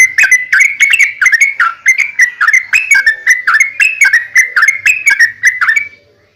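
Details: Long unbroken yellow-vented bulbul song, used to draw replies from other bulbuls: steady rapid sequence of liquid, slightly dropping chirps, each note short and bubbly, fading out at the end.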